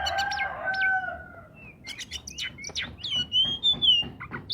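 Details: Lively song of an Oriental magpie-robin, recorded as a prompt for silent magpie-robins: a long sweet whistle at the start, then sharp chips and a flowing, wavering high whistled phrase, with a low hum behind.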